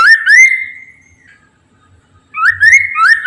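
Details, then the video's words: Whistled song of a Chinese hwamei, used to coax other birds of its kind into song: a couple of rising notes, a drawn-out whistle, over a second of quiet, then a new run of upslurred whistles. "PANCINGAN POKSAY MANDARIN TERBUKTI AMPUH CEPAT DIRESPON POKMAN LAIN AGAR IKUT BUNYI"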